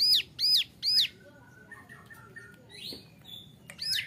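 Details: Young male Bar-winged Prinia used as a training model: three loud arched chirps in quick succession, a pause with faint lower twitters and a brief rising squeak, then one more chirp.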